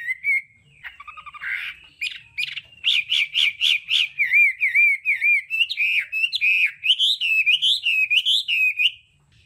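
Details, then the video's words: Hwamei singing in the varied đảo âm style, used as voice-training audio: a short whistle and harsh notes, then a fast run of loud repeated upslurred notes and looping warbled whistles, about two per second. "Âm thanh luyện giọng họa mi hót đảo âm hay nhất"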